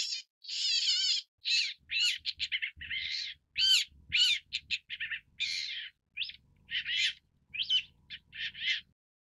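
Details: Long-tailed Shrike, Lanius schach, giving a nearly continuous string of harsh, scratchy and nasal notes mixed with warbled wavering phrases, varied and loud throughout.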